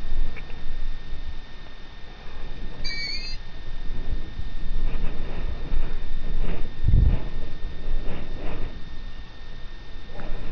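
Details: Long-eared owl chicks, hidden inside an almond tree, begging for food. One gives a single squeaky, drawn-out call like a creaking gate, over steady wind rumble and faint scraping.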